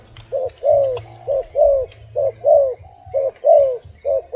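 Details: Wild dove uttering rapid rhythmic coos, roughly one per second in alternating short and longer falling notes, with a soft background drone.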